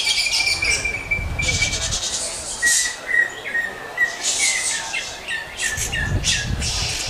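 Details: Greater green leafbird song of short, clear whistled notes repeated about once a second, broken by loud scratchy, buzzy bursts, with a low rumble of background noise at the start and end.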